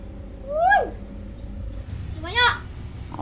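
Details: Tame common hill myna kept as a talking bird: a rising-then-falling whistled swoop, a pause, then a second harsher, buzzier swoop, with steady low hum in the room.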